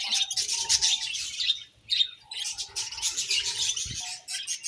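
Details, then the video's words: Budgie chirping: continuous bright, scratchy twittering with steady warbled notes beneath, briefly dropping away for a moment before resuming. "Beautiful Budgies Chirping Sounds"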